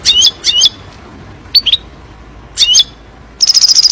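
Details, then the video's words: European goldfinch delivering fiery 'nar' song for training young birds: paired sharp twittered phrases separated by pauses, a lone chirp, then a fast, high, evenly pulsed trill at the end. "تغريد طائر الحسون نار لتعليم الفراخ"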